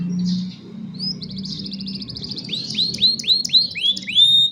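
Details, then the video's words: Young canaries performing song to train other canaries, recorded on a cellphone: a soft opening note, a fine rapid buzzing trill, then a series of rising whistled slurs about four per second. "Young Canaries Sing for Your Lazy Canaries | Canary Singing"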